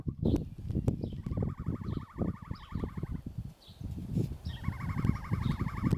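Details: Ostrich chicks giving long trilled, wavering calls that last about two seconds each, with brief high chirps between them, over strong low rumbling noise and thumps.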